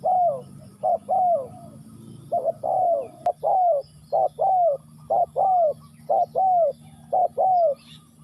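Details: Spotted dove (cu gáy), Ninh Thuận, with a rapid run of mellow coos: short notes alternating with longer, downward-curving coos in about seven phrases, plus a low steady hum beneath.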